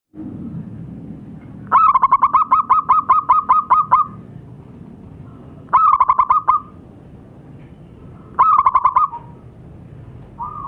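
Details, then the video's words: Local zebra dove calling actively: three bursts of rapid, pulsed mid-pitched cooing, the first a long run of about ten quick notes, then two shorter bursts, each ending in a soft drawn-out tail, over a low background hum. "Suara panggilan burung perkutut"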